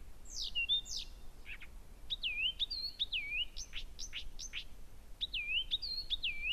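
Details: Blyth's reed warbler in constant, very powerful night song, Gerå Engvej, 15 June 2014, 1 a.m.; after two falling sweeps it loops a dipping, upturned whistled note over and over, mixed with sharp high notes, in a quiet background.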